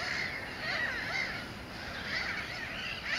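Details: Mediterranean gulls in a dense breeding-colony chorus on 12 May 2013 at Sol de Loire, Montjean-sur-Loire, France, alongside black-headed gulls and common terns; nasal, rising-then-falling 'kyow' calls overlap about once a second over a steady colony hubbub.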